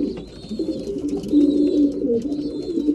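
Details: At mealtime, breeding pigeons produce drawn-out low coos over a murmuring flock, joined by thin high wavering squeaks in short bursts.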